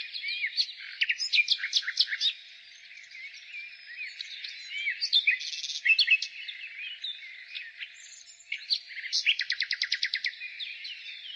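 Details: Nightingale singing in spring: bursts of rapid, repeated notes and sharp trills between pauses, with a thin layer of other high birdsong filling the background.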